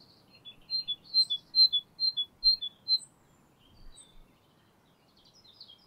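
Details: A great tit sings its most common simple two-note song, a bright, high teacher-teacher phrase repeated briskly about eight times over three seconds, then fainter twittering follows.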